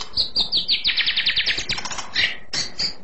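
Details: Murai batu, or white-rumped shama, produces a fast trill of about a dozen high repeated downslurred notes, then a few sharp chirps, clear and shrill.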